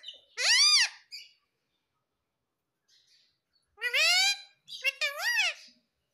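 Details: A talking pet parrot taught papa and mummy lets out a loud, harsh squawk. After a quiet pause come two more long, grating calls that rise and fall.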